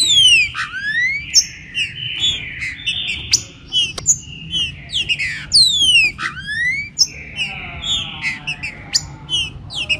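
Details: Warming-up song of a green-winged saltator, chuva com boi style: repeated bright whistles falling sharply in pitch, sustained level tones between them, plus frequent short high chirps and a low background hum.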